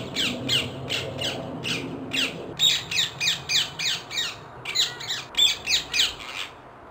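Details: Wild ringneck parakeet singing in a fast string of raspy shrieks, around three every second, with a low rumble beneath the first half that then fades.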